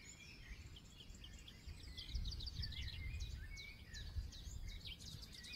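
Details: Multiple birds in a forest give rapid, high chattering notes, about two per second, with occasional lower whistles. A prominent low rumble of background noise sits under the chorus.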